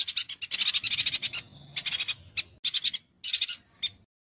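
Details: Singing yuhina, recorded as training material to vary a white-rumped shama's song: quick clusters of sharp, high chattering chirps in short bursts, separated by brief pauses.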